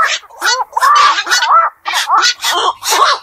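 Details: Black-crowned night heron at night near a pond or wetland: drawn-out nasal, whining squawks with a tonal streak, in groups of two or three, separated by short pauses.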